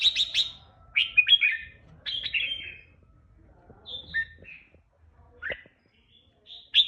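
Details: Caged red-whiskered bulbul singing in the powerful 'ché' style, with short bright chirped phrases and warbles clustered high in pitch, broken by brief pauses and a faint low background hum.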